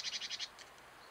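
A European Robin gives a quick run of five high, bright, chirpy notes at about ten per second, then fainter trailing notes in a quiet background.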